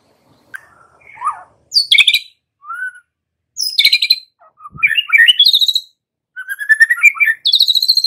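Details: White-rumped shama lure song for training young wild-caught birds. Varied phrases of sharp high notes and warbles, each ending in a fast buzzy rattling trill, with clear whistles between.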